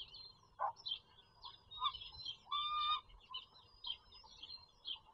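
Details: Bald eagle at a nest with four eaglets on a farm country cam in Pennsylvania, April 4, 2022: scattered short chirps and high squeaky notes, one longer steady whistled note midway, faint background rumble.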